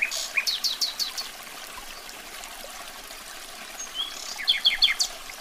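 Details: Common nightingale (Luscinia megarhynchos) singing: a quick burst of sharp, repeated high notes, a pause of several seconds, then another rapid run of clipped whistles over a steady background hiss.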